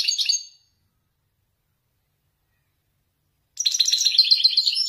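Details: Moroccan Wedani goldfinch performing Marrakchi nzoulat song: a brief trailing end of one phrase, a long pause, then a dense, buzzy, rapidly twittering burst of high chattering notes.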